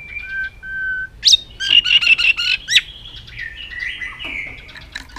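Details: White-rumped shama with extended song and aggressive tail-flicking display aimed at rousing other birds: steady low whistles, then a fast burst of loud chattering notes and a sharp upward whistle, trailing into softer warbles.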